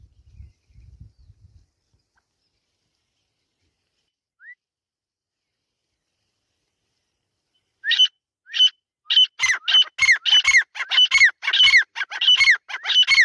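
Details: Female grey francolin voice: after long silence with a faint low rumble at first, a burst of sharp, high, squeaky notes begins and quickens into rapid chattering.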